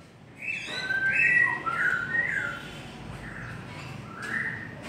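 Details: White-rumped shama delivering a long song of loud, rich whistled phrases, slurred notes sweeping up and down in rapid sequence, then softer trailing whistles and a final short phrase.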